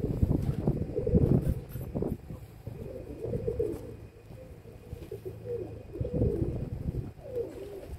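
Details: Several kept domestic pigeons, recorded on 27 May 2022 in the afternoon, giving low, throaty, rolling coos that overlap one another, with a steady low hum and occasional soft rustling in the background.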